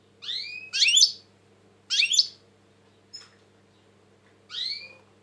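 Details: European goldfinch, said to be tense these days, giving rasping, buzzy notes with a downward sweep. Several calls come in spaced bursts, with a soft click between them.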